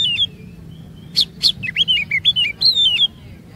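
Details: Lure song of an Oriental magpie-robin, meant to spur other birds into long phrases and new imitated notes: after a soft whistle, two sharp snapping notes, then a quick series of bright, bending whistles falling and rising, with a faint low hum.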